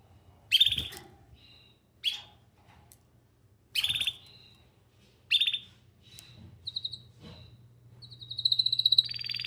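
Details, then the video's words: Canary singing in short bursts: bright trills and whistles around the upper-middle register, phrases every second or two, ending in a rapid rolling trill; faint low hum beneath. "Canary Singing"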